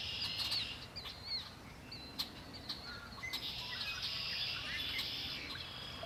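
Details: At Lake Erie, birds sing: a buzzy trill opens, then scattered chirps and short downslurred whistles, followed by a longer continuous trill, with occasional clicks and soft ambient noise.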